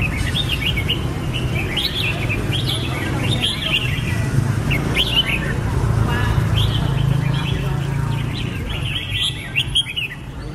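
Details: Red-whiskered bulbul song: a busy run of bright, looping whistled phrases, several notes per second with brief pauses, over constant low traffic-like rumble.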